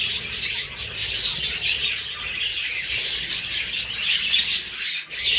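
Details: Budgerigar chatter, with cockatiels also present: a continuous, busy stream of shrill chirps and scratchy warbling notes, dipping briefly near the end before resuming.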